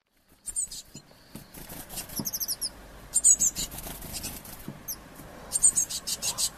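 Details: Blue tit chick fed by its parents at a window in Bayreuth, Germany, in June 2015; very high, thin, rapid buzzy chittering notes in quick clusters, with clicks and taps between them and a faint background hiss.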